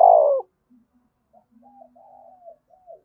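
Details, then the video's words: Vigorous thúc bổi cooing of a spotted dove. A loud, mellow coo fades out at the start, then several soft, faint, wavering coos follow, with a low murmur beneath them. "tiếng cu gáy thúc bổi cực sung mở 100% là gáy"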